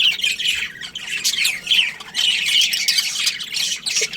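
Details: Budgerigar colony chirping: busy, scratchy high warbles and squawks overlapping nearly without pause, with a few short clear whistled notes.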